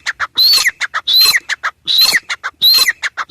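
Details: Grey francolin, known locally as teetar, calling loudly: harsh, ringing phrases, each holding a high whistled note and ending in a falling slur, repeated about every 0.75 seconds with short clipped notes between.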